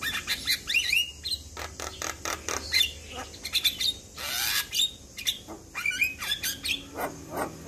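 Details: Javan myna in vigorous song meant to make young birds respond quickly; rapid sharp whistles, clicks and rasping squawks in a dense, high-pitched jumble with a loud buzzy burst midway.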